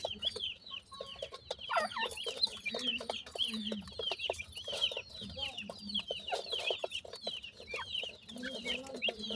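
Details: Grey francolin family with chicks feeding: dense, continuous high chirps and short peeps from several birds, with soft low clucks and scattered clicking throughout.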